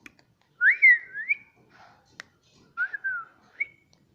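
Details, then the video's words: A pet talking Indian ringneck parrot says words like "mummy" and "papa": two short, squeaky, whistle-like phrases about two seconds apart, rising and falling like spoken words, with a single sharp click between them. "parrot talking mummy || papa bolta tota"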